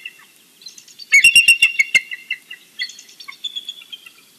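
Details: A bald eagle at its Big Bear nest in the morning, recorded by a live nest camera, gives a fast run of high, squeaky, piping notes that slows into a looser series of thinner chitters.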